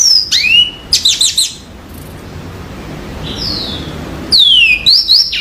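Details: Yellow-fronted canary singing in clear, high bursts: quick downslurred whistles and rapid trilled notes, a long pause with one falling note, then more sweeping whistles near the end.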